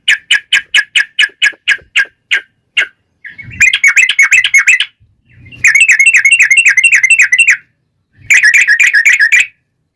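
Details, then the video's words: Yellow-vented bulbul song in the lively long rapid-fire fighting style, used as a lure to make other bulbuls answer. A run of short, evenly spaced chirps gives way to three dense, bubbly, chattering bursts with brief pauses between them. "trucukan gacor TARUNG ROPEL PANJANG pancingan trucukan agar bunyi"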